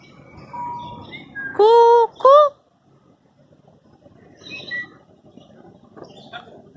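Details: African grey parrot at Dhauladhar Nature Park, Dharamshala, giving two loud, clear whistled notes in quick succession, the second rising slightly, followed by softer scattered chirps and a human voice saying hello.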